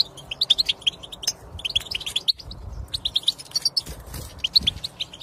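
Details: European goldfinch song played to coax silent goldfinches into singing: rapid tinkling twitter of short high notes in quick bursts, with a brief pause near the middle before the chatter resumes.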